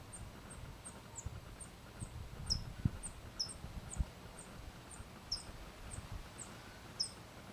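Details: California towhee hatchling just out of the nest, parents teaching it: a steady run of very high, short chips, some stronger accented notes, with soft thumps and low background noise beneath.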